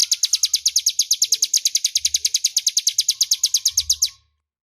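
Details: Ngebren-style song from a crescent-chested warbler, loud and clear, offered as master audio for magpie-robins. Quick, evenly spaced shrill chips, near three per second, continue for just over four seconds before cutting to silence.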